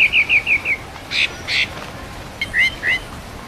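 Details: A Rufous-bellied thrush (sabiá) sings a live-recorded "paulista mateiro"-style song: a quick run of five clear, slightly falling notes, two richer warbled bursts, then a pair of sliding whistles, over faint hiss.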